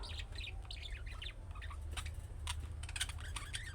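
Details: Budgerigar chick-style calls that other budgies answer: quick high twittering chirps in a tumbling run, followed by sharp clicks and scratchy notes, with low hum underneath.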